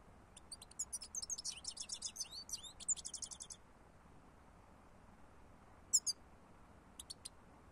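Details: European goldfinch song used as a lure: a fast, dense run of high tinkling, twittering notes lasting about three seconds, followed after a pause by a few short sharp call notes.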